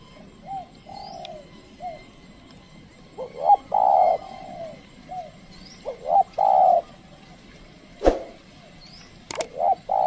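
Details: Trained decoy spotted dove used as a lure to call wild doves, which would not come near. Several two-part coos: short rising notes, then a long steady low croon, a few seconds apart, with two sharp clicks near the end.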